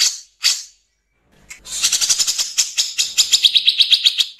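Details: Grey-cheeked bulbul, harsh 'nembak kasar' song from an original recording with gaps, used for training songbirds: two isolated rasps and a pause, then a quickening series of coarse buzzy notes ending in a pulsed trill.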